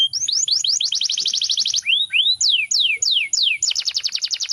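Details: Canary in full song: fast rattling trills of rapid repeated notes, broken by slower downward-sweeping whistles and a pair of rising slurs, then another quick trill, all against a faint high whine.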